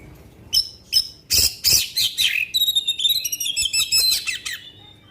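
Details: Black-winged magpie-robin (kacer) song: sharp clicking notes, then a rapid run of high whistled and buzzy chirps repeated quickly, about three per second.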